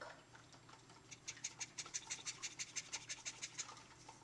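A cockatiel mimics a shaken tea bag with a rapid, scratchy, evenly spaced rattle of dry clicks.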